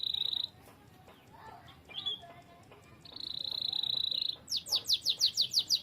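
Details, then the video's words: Canary singing as a tutor for other birds, softer here: buzzy sustained trills separated by quiet faint notes, closing with a burst of sharp, rapidly repeated sweeping notes. "KENARI GACOR. MASTERAN BURUNG TERBAIK"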